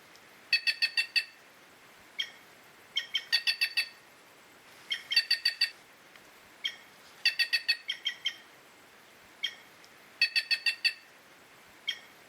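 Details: Curl-crested jay from Brazil calling with repeated rapid series of three to five sharp, harsh notes, with single notes in between, every second or two.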